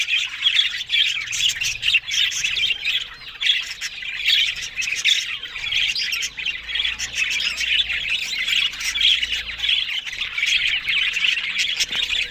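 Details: Talking budgies in a steady babble of squawks, chirps and buzzy trills, high-pitched and continuous across the whole stretch, with a faint low hum beneath.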